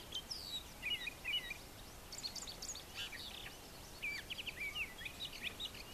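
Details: A male brown thrasher sings on a farm yard at morning near brushy nesting sites, delivering dense runs of varied chirps, slurs and trills, phrase after phrase with barely a pause.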